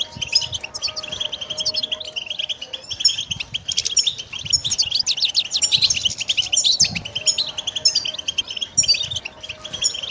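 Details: Pet European goldfinch in continuous song: a rapid, unbroken stream of high tinkling twitters and trills, with a faint steady low tone in the background.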